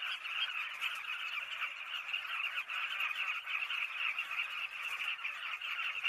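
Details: Southern carmine bee-eaters calling together, a thick wall of rapid, overlapping chirps and chatter that never pauses, with no other clear sounds.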